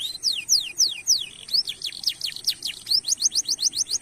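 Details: Nonstop canary song meant to stimulate other canaries: rapid slurred whistles in quick series, speeding into a tight rhythmic run of sharp notes near the end.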